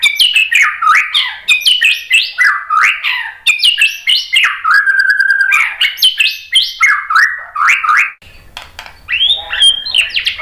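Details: Rich, varied song of a White-rumped shama, played to goad other birds into answering: rapid phrases of swooping whistles, chips and harsh notes. A steady held whistle sounds midway, and a looping phrase closes after a brief pause.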